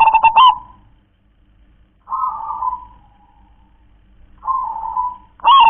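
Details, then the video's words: Kong-klar-ke-tek-kong song from a local zebra dove: a brief loud stuttered note, a long pause, two mellow rolling trills, and the start of another loud phrase at the end. "perkutut lokal warisan suara KONG‼️KLAR-KE-TEK-KONG"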